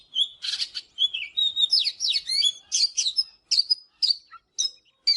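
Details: Oriental magpie-robin singing in the morning, used for song training: a rich, varied run of loud whistled notes, sweeps and trills, with short pauses between bursts.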